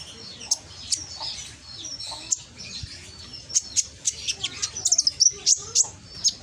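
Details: Loud, carrying konin song from Gresik, East Java, used as a lure for reluctant singers: thin high tweets and sharp slurred notes, sparse at first, then faster and denser toward the end.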